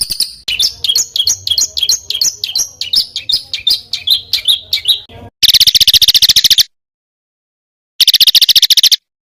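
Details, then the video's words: Small bird's harsh bursts in a tutor recording for contest birds: varied sharp, quick chirps for several seconds, then two dense buzzy rattles separated by silence, with abrupt edits. "SUARA BURUNG KECIL TEMBAKAN KASAR"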